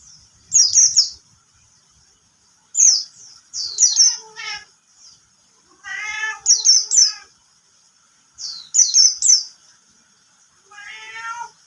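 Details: Bird singing while a cat bothers it: quick groups of high, sharp downslurred whistles repeated every few seconds, alternating with lower nasal, harmonic drawn-out sounds; faint low tapping at the start.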